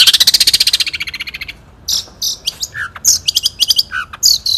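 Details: Long-tailed shrike, a national champion singer recorded in 2016 in the one-point style, opens with a rapid buzzy run of about fifteen high repeated notes, then pauses before scattered sharp chips and short whistles.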